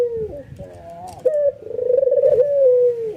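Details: Excited white albino ringneck dove cooing while nodding, its calling provoking other doves to answer; a clipped upward note leads into a rolling, vibrating coo that holds level, then slowly falls away.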